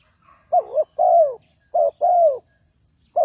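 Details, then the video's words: Lure spotted dove used in bird trapping, Ninh Thuận, calling steadily. A short stuttered note and a longer arching coo repeat roughly once a second, with a third phrase beginning at the end. "Tekukur Pikat"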